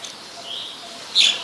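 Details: Ashy Woodswallow in Ubon Ratchathani, Thailand, on 14 December 2019: a faint, thin high note, then one sharp, harsh chirp near the end, over a quiet hiss.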